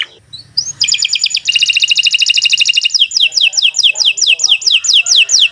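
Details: Long canary song meant to prompt caged birds to sing: a rising whistle, then a rapid dense rattle-like trill, followed by a steady run of sharp descending notes roughly every quarter second.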